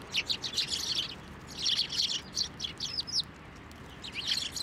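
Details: Sparrows taking food on posts and from a hand at a Tenmangu shrine on 24 November 2023; clustered high chirping bursts from several birds, a few thin rising notes near the middle, and a final burst at the end.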